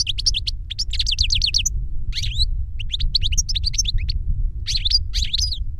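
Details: European goldfinch tutor bird singing reclamo-style song, one of two goldfinches where a young novice learned this song from a CD of the tutor. Rapid bursts of high, sharp twittering notes, repeated phrases with short pauses, over a steady low rumble.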